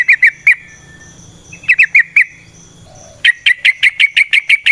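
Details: Yellow-vented bulbul song in the wild, known locally as long rapid trucukan song and used as a lure: bursts of three to four sharp chirps with gaps, then a fast even run of about ten clipped notes, over soft low rumble.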